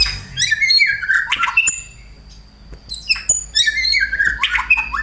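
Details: Male white-rumped shama in a fighting song with church-bird mimicry, bursts of harsh, scratchy chatter and whistled notes broken by a short lull, then a second loud, busy outburst.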